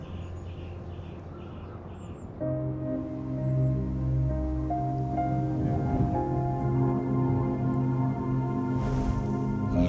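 Soft ambient music with sustained low tones and a faint voice; no animal calls are heard.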